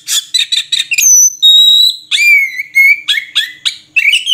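An Oriental magpie-robin sings a varied phrase: quick buzzy chips, then long clear whistles held steady, followed by sweeping slurred notes and rapid chattering.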